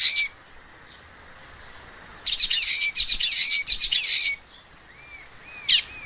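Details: Common waxbill singing: a brief high note, a pause, then a two-second string of harsh, buzzy high chirps and twangs ending in a rising whistled slur, followed by short upward-curving squeaks.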